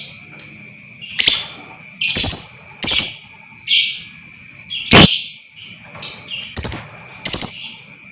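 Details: Lovebird voice used as a provoking sound to make lovebirds trill long and sing freely: irregular harsh, screechy chirps and rasps, one very loud noisy blast mid-way, separated by short gaps, against a steady high-pitched background tone.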